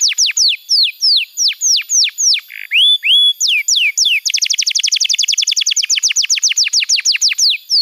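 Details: Tutor song of a canary, played to train young birds and revive quiet ones: loud, widely spaced downslurred whistles and two rising notes, then a fast even run of crisp chirps for the second half.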